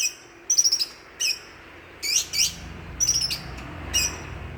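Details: Greater green leafbird, a village champion bird from East Java, Banyuwangi, giving short bursts of high, sharp chirps and trills, each phrase under half a second, separated by pauses, over faint low background hum.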